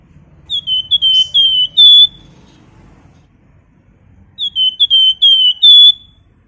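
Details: Flamboyan singing, described as a lively chattering bird: two matching phrases of clear whistled notes, short slurred whistles leading into longer steady ones, the phrase repeated after a pause of about two seconds, faint low hum beneath.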